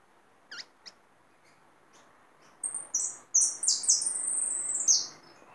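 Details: Hooded siskin kept in a cage, singing its "me gusta" song: a few isolated high chirps, then a rapid, shrill twittering warble of buzzy trills running for over two seconds.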